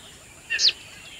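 A zitting cisticola gives one sharp, high, clipped 'zit' lasting a fraction of a second over a quiet background hiss.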